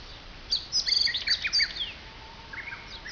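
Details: In forest at the foot of Mount Fuji near Fujiyoshida, Japan, birds pour out quick, high, sputtering twitters and chirps in a dense run lasting about a second, then a softer distant phrase follows.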